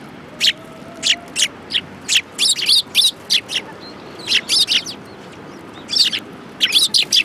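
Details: Flock of sparrows gathered at food at a Tenmangu shrine, 22 January 2018; dense run of sharp high chirps, often in quick pairs and triplets, many birds calling over one another with little pause.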